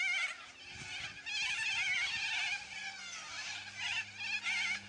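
A flock of yellow-crested cockatoos screeches nonstop, with harsh, raspy calls overlapping into a dense, grating din that swells and dips over the few seconds.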